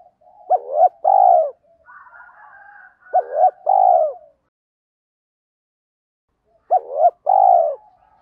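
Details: Spotted dove song for provoking wild doves to coo in reply: three looping-then-long coo phrases, with a quieter warbling call between the first two and a long pause before the last.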